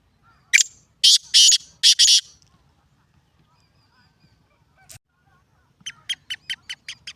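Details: Black francolin (kala teetar) calling: one short harsh burst, then two long rasping, grating notes, then a further pair. After a pause comes a quick run of short, sharp clicking pulses.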